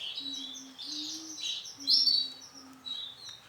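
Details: Singing male canary, orange Sunkist colour, delivering dense warbling trills that swell to a loud, piercing passage near the middle before settling into softer chirped notes, a low constant hum beneath.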